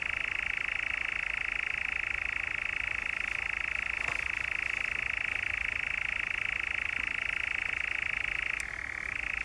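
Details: Nearly ten seconds of unbroken European nightjar churr, Brecks, Norfolk, 7/7/17: a steady, buzzing, machine-like trill ending with a sudden drop to a lower pitch after a click.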